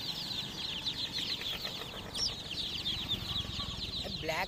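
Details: Chicken chicks chirping all together, rapid overlapping high peeps, with one clearer rising-falling chirp standing out near the end over low background noise.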